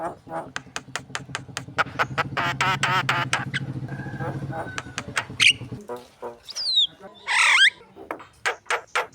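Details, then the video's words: Javan myna singing, used as a lure song for birds preparing for a contest: rapid clicks over a low droning buzz, then sharp whistled notes and loud harsh squawks. "SUARA PANCINGAN ORIGINAL BURUNG JALAK KEBO GACOR SIAP LOMBA"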